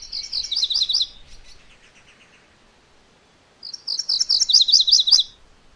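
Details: Two bursts of MacGillivray's warbler song about three seconds apart. Each is a rolling series of high, two-part notes of steady loudness.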